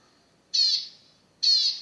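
A zebra finch gives two loud, nasal, buzzy notes, each about a third of a second long and nearly a second apart, over a quiet background.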